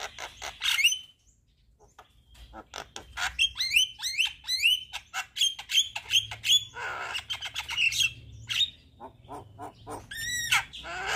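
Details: Javan myna (jalak kebo) in energetic 'gacor' song, nodding as it sings, full of 'isian' fill phrases; a fast run of clear upslurred whistles mixed with scratchy, noisy bursts after a short opening phrase and a silent gap.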